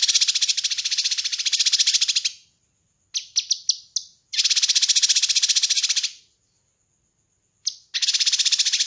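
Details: Master recording of a kinoi bird, used to train and lure birds. Long harsh, buzzy trills over two seconds long are separated by clusters of sharp chips and a faint high, steady tone.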